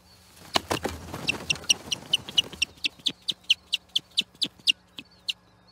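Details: Osprey at the Charlo nest, Platform 1, on 8 June 2021, fighting an intruder over the nest: a fast run of sharp, high chirping calls, about three to four a second, with wingbeats and rustling at the start.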